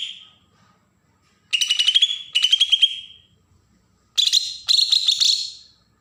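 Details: Bornean green leafbird from Berau, Kalimantan, in agitated song used to provoke other birds: rich warbled phrases with a buzzy, rattling texture, given in two paired bursts separated by a pause, over a quiet background.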